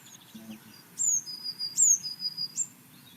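A Blue Tit gives three short phrases, each a very high, thin descending note running into a steady, slightly lower trill, about one phrase a second.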